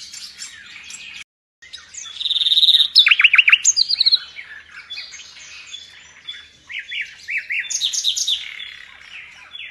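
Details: Kept nightingale valued in Indonesia as a master for pet songbirds, singing vigorously: a high fizzing note, a fast run of about a dozen loud pulsed notes, then swooping whistled triplets and chatter.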